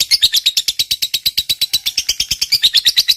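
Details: Lovebird performing the long ngekek chatter, used to prompt silent birds to sing: a dense, rapid run of around 25 shrill, buzzy chirps in just over three seconds.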